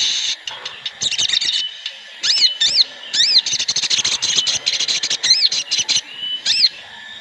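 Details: A lure recording of several Sooty-headed bulbuls calling at once to encourage other birds to sing. Rapid bursts of high chirps and looping whistled phrases overlap, with brief pauses between clusters.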